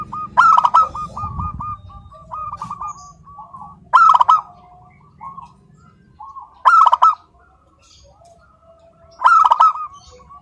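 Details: Local zebra dove singing without pause: four loud bursts of staccato notes about every two and a half seconds, with softer rippling trills between them.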